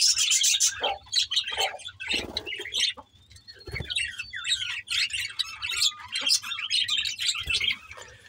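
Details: Budgies chirping on 24 May 2024, a bright flurry of twittering, warbled phrases and sharp squeaks with short gaps, a few soft thumps and a low hum underneath.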